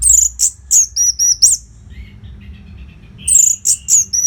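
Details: Orange-headed thrush, a nonstop training song for competition birds. Loud, very high whistled notes come in quick succession, then a soft lull with faint chatter, then another bright burst of shrill whistles.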